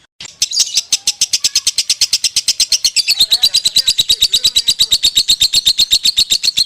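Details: Konslet song from a lovebird: a burst of shrill, rapid chirps that speeds into an even, unbroken stream of about seven notes per second.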